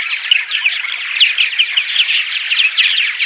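Purple martin dawn song: a steady stream of rich, gurgling chirps and throaty warbles, packed closely together without pause.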